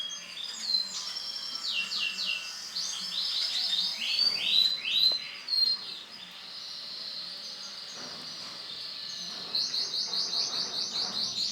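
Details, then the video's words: Male silver canary singing a long, high, continuous song of rapid rolling trills and buzzy repeated syllables, changing tempo throughout and ending in a fast, even pulsed trill. "CANARY JANTAN WARNA SILVER"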